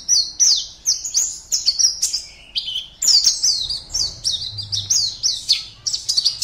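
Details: Oriental white-eye, caged competition bird from Pontianak, Indonesia, gives brisk repeated high chirps and downslurred notes, a brief lower phrase midway, then resumes rapid chattering; faint low hum in background.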